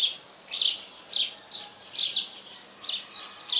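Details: Saffron finch at dawn giving a few separated high, clipped chirps that drop steeply in pitch, spaced about half a second apart, over a quiet background.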